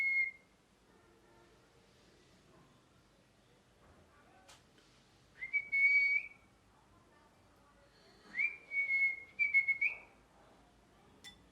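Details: Parrot giving sparse high whistled notes that rise quickly and then hold steady, some broken into rapid stuttering pulses, with long quiet stretches between them. Faint clicks and a low background murmur are also present.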